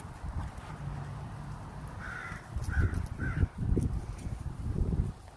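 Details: Crow in Minnesota making unusual, strange chittering noises: three short, slightly rough mid-pitched notes close together in the middle of the recording, over steady low rumbling background noise and occasional thumps.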